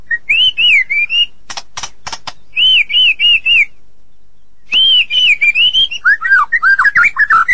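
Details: White-rumped shama song: loud whistled phrases of repeated rising-falling notes near mid-high pitch, broken by short rattling bursts and a brief pause, ending in varied slurred whistles.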